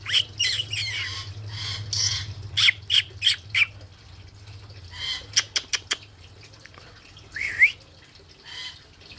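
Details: A curious male rainbow lorikeet, a daily garden visitor in Australia, calls near a fish tank: rapid series of sharp, grating squawks, several clipped notes in quick succession, then a rising screech.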